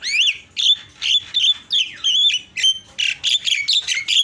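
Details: Javan myna (jalak kebo) singing an 'isian' song used as tutor material for training other songbirds: a fast string of harsh, squeaky notes with rising and falling whistled slurs, about two per second, with nothing else heard.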